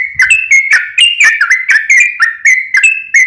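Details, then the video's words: Sooty-headed bulbul in a long, continuous song used to prompt a caged bird to answer: rapid bubbly whistled phrases near the same pitch, each note starting with a sharp click-like onset and gliding, about 86 notes a minute. "KICAU SUARA trucukan gacor ROPEL PANJANG pancingan trucukan agar bunyi MENJADIKAN trucuk gacor NYAUT"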